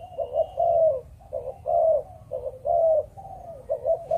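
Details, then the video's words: Malaysian-stock spotted dove, kept for breeding, cooing 'Chụp Chụp Ô': loud, mellow two-part coos, a short lead-in then a sustained note, repeated evenly through the clip with little background. "Chim Cu Gáy | Chụp Chụp Ô"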